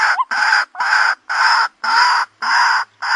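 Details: Loud, even series of harsh croaking notes from a white-breasted waterhen lure recording, about two per second, the first ones tipped with a rising squeak.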